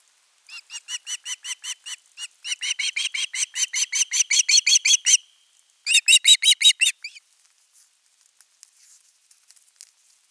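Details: Osprey chick at a nest camera, 10 August 2021, calling at length for fish: runs of sharp, harmonic, slightly rising chirps, about three per second, in two bursts with a short pause, then fading to scattered faint notes.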